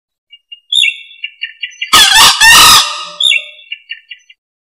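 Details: Green junglefowl giving a short, hoarse crow in two harsh bursts. Thin, repeated chirping notes from another bird come before and after.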